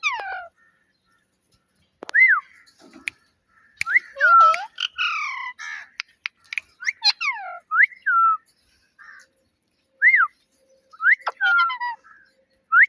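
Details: Domestic talking parrot in a long sequence of short, arched whistled notes and chattering harmonic syllables, with scattered clicks between phrases and quiet gaps.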